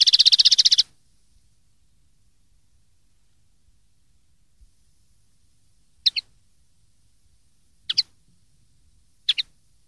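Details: Common linnet recorded in 2013 as tutoring material for young linnets to learn from: it opens with a rapid buzzy trill less than a second long, then after silence come three spaced, crisp doubled chirps.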